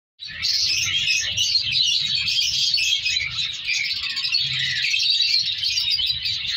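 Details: Colony of colour African lovebirds kept for breeding, with mutations, as chicks begin to be separated; dense, continuous high chattering and shrill chirps from many birds throughout, with a faint low rumble beneath.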